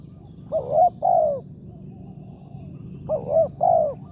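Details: Wild spotted dove with a big 'tarik akar' voice, lured for capture at a morning trapping site: two mellow coo phrases, a short stuttered double note followed by a drawn-out descending coo, with a constant low hum behind.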